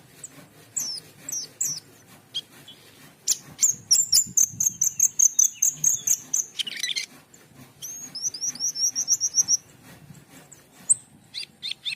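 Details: Asian pied starling delivering a long varied song, with squeaky whistles, a series of quick repeated chips, a harsh buzzy burst and high trilled whistles.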